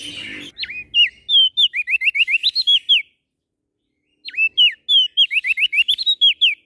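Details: Prinia (prenjak daun) from NTB, Lombok, Indonesia, singing actively. A fast run of sharp, downslurred and hooked whistled notes, about a dozen in a row, stops after a two-second pause, then repeats in the same pattern. Faint low rumble at the start.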